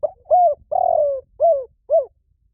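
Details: Lure call of a spotted dove, a full cooing phrase: brief opening note, smooth arched coo, drawn-out purring coo sliding downward, and two falling coos spaced evenly, with nothing else audible.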